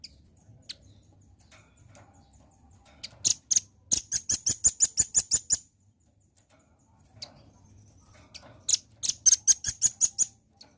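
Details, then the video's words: Lure recording of a Velvet-fronted nuthatch to prompt a fast reply: two long trains of shrill, high chips, roughly eight to ten notes each, delivered at a brisk steady pace, with scattered single ticks between them. "PANCING BUNYI BURUNG RAMBATAN PARUH MERAH AGAR CEPAT RESPON"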